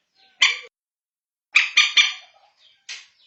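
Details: Night-time lure call of the common moorhen, used to locate the birds after dark: a single harsh, grating burst, then a fast run of three, then two more abrupt bursts.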